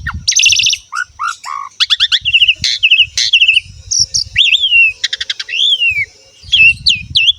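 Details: Asian pied starling (jalak suren) in full, rich song, played to train young males and females or quiet birds to sing: varied fast medley of whistled rising and falling notes, buzzy rattles and clicks, in bursts with short pauses.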